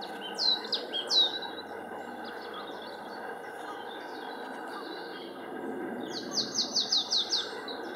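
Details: Marsh tit singing at Linford Lakes Nature Reserve, Milton Keynes, on 25 March 2015, one of several song types: a few high sharp notes early, later a quick run of six or so repeated high chips, over steady low rumbling noise.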